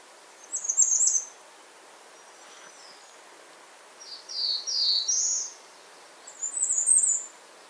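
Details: Bay-breasted warbler calling: thin, very high notes, a short buzzy burst, then a run of three broader notes, then another high jittery trill, over a soft hiss of background noise.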